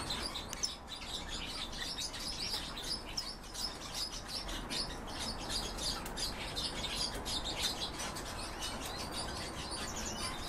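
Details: Hybrid of goldfinch and canary in sustained song: a long, fast stream of sharp high chirps and twitters with irregular rhythm, set against a constant low hiss.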